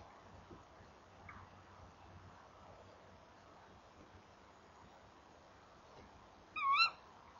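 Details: Female tawny owl (Strix aluco) at 19:18 arrives at the nest box, calls, peers inside, turns away and flies off; a single sharp, rising-then-falling kee-wick (kewick call) after several seconds of quiet.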